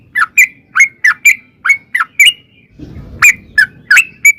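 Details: Lure song of a sooty-headed bulbul, meant to prompt others to reply: clipped chirps repeated quickly, broken by a brief burst of low noise in the middle before the notes resume.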